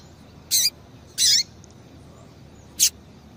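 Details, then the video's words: Three short, bright high-pitched notes from a female double-collared seedeater, used to rouse a male into song, the middle one slightly longer, separated by pauses over faint hiss. "Piado de Fêmea de Coleiro para Esquentar Coleiro"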